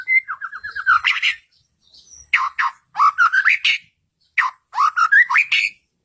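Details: White-rumped shama song used to provoke caged birds to reply: short bursts of clear whistled and buzzy notes, each burst climbing in pitch, separated by pauses of about a second.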